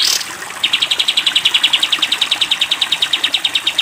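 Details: Sooty-headed bulbul, 'tembak panjang' style training song for cage birds: after a brief swish, a long stream of quick, metallic, high-pitched chips repeated steadily for over three seconds.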